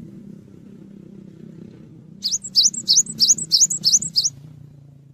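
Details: Cinereous tit singing energetically as tutor audio for songbirds: after two seconds of low hum, a quick burst of seven high, clear, two-note whistled phrases, each dipping then rising, repeated steadily for about two seconds.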